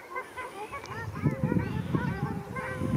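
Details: A fight between ruddy shelducks at Arucas, Gran Canaria, February 2021; clear nasal, arched honks follow one another quickly with some low thuds beneath.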